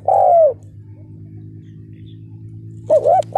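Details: Decoy spotted dove used on the ground to lure wild males, giving one long, falling, mellow coo, then a short double coo after a pause, over a steady low hum.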